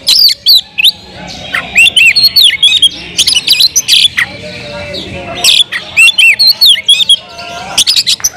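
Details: Oriental magpie-robin singing loudly to unsettle other magpie-robins: dense runs of harsh rasps, chatters and curling high whistles, nearly continuous, broken by a short quieter stretch midway.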